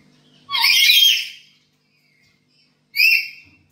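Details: Black-capped lory kept at home gives two harsh, raspy screeches, the first about a second long, the second shorter after a two-second pause, in a quiet indoor space.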